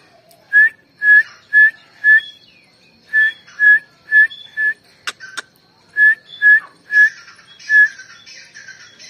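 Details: Grey francolin female, 29 November 2022, giving rapid, evenly pitched whistles, roughly two per second in bursts of four or five, briefly interrupted by two sharp clicks before the whistling resumes.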